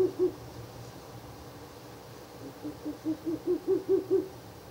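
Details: A Ural owl at a nest box after dark on 16 April 2024, the third night of nest visits, gives two hoots, goes quiet, then gives a building run of about eight rapid low hoots.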